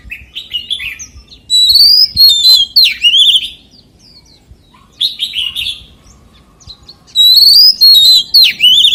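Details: A white-rumped shama in forest-voice song delivers three phrases of loud clear whistles and fast ringing trills, separated by short pauses, with quieter chatter heard between them.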